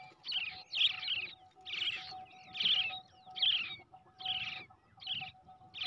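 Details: Hand-reared brown shrike youngster, raised from the egg, giving rough wheezy begging calls in uneven bursts, some doubled, over a faint constant tone in the background.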